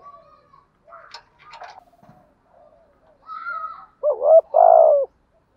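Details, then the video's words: Spotted dove lure coo in the 'thúc gù' style. Faint scattered bird sounds and clicks lead in, then one clear phrase at the close: a short double rising note followed by a long, low, steady coo. "chim cu gáy thúc gù bài bản bổi nghe nhanh về"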